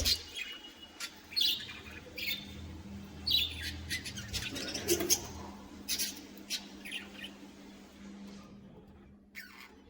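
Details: Budgerigars kept as a colony in a cage, several birds giving scattered short chirps and squawks in bursts, with a steady low hum beneath.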